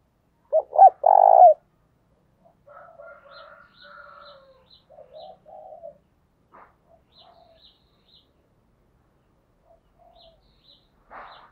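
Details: Decoy call of a spotted dove meant to attract wild doves: one loud close coo phrase, then several fainter, more distant coos and scattered short high ticks through a quiet background.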